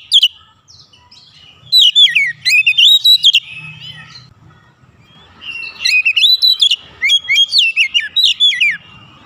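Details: Oriental magpie-robin (kacer), emotional and unloading its isian filler repertoire, singing two long runs of rapid, looping whistled notes separated by a short quiet spell.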